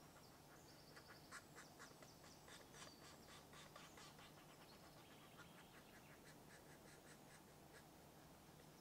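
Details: Green woodpecker at a nest in Dorset woodland, giving a steady series of short, grating pulses roughly two per second that fade toward the end, while a thin high whistle from another bird sounds early on.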